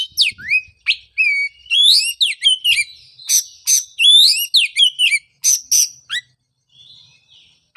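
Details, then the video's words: Oriental magpie-robin in full song, meant as a lure for a bird that stopped singing after moulting. Fast, varied whistled phrases with rising sweeps and chattering notes, almost continuous, then a short quieter pause at the end. "pancingan suara untuk terapi burung kacer"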